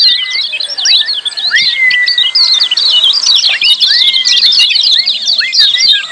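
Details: A busy chorus of lemon-bellied white-eye ciak calls, with quick high chirps packed tightly together, a few drawn-out steady whistles, and short upslurred notes.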